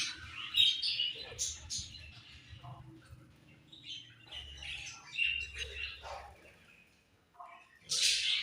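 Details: Scattered budgie chirps and scratchy squeaks, fairly soft, with a low hum underneath and one loud harsh burst near the end.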